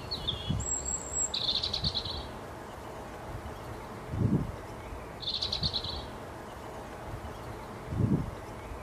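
Sooty-headed Bulbul gives two short, bright chattering phrases about four seconds apart, with a thin high whistle early on and soft low knocks in the background.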